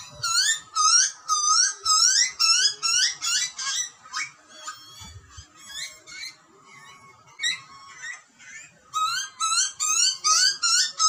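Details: Butcherbird chicks in the wild in Australia scream for food during feeding by their parents: a steady series of shrill, rising squeals, a quieter stretch midway, then loud calling resumes.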